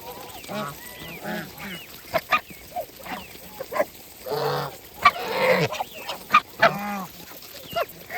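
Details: Geese eating in a farmyard, giving a lively series of nasal honks, some rising at the end, mixed with sharp pecking clicks and a longer drawn-out honk partway through.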